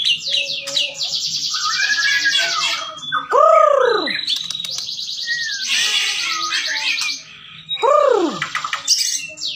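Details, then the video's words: Bahorok white-rumped shama song: dense buzzy trills alternating with rich, loud downward-arching whistles repeated twice, then more chattering trills. "Burung Murai Batu Bahorok"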